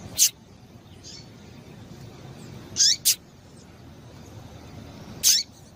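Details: Female Rusty-collared seedeater call, used to excite and stir males into singing: sharp, high chips, a single note, a quick double, then another single, spaced a couple of seconds apart over a low hiss.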